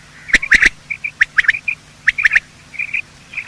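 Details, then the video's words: Quail morning call, male and female sounds used to lure quail for hunting: sharp whistled notes in quick groups of two or three, each burst a few seconds apart, with softer short chirps between and a quiet background. "Quail calling sound: master the Art of Quail tripping | Bater Awaz Subha"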